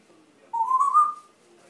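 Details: Grey parrot at home in a country house, where it likes to dance, giving a single clear whistle that slides upward then levels off, about a second long, in a quiet room.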